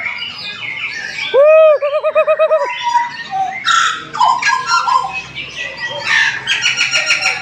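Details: Papuan butcherbird at a gantangan bird-hanging session in Jayapura, Papua: a loud, pure fluted whistle that rises, holds and drops, followed by a quick run of rolling looped notes, amid busy chirping and chatter from many other birds.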